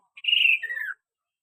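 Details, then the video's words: Kaso-kaso bird giving a single clear whistled phrase under a second long, a steady high note sliding down into a slightly lower falling tail, then silence. "burung kaso-kaso gacor"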